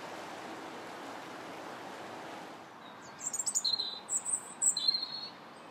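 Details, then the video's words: January robin song: after a few seconds of quiet hiss, a run of high, sweet trilled notes begins, then several brief warbling phrases follow in quick succession. "Still the Robins Sing January 21st"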